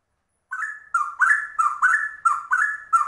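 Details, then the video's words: Straw-headed bulbul singing a rapid ropel-style song, locally called trucuk: rich, liquid warbled notes rising and falling, delivered in quick back-to-back phrases after a brief silence, with no other sounds. "Trucuk langka ropelannya cucak rowo"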